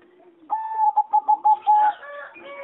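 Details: Competition singing zebra dove in an aviary, 26 April 2014: a crisp run of about six staccato coos, the last stretched longer, then overlapping chatter from neighbouring birds.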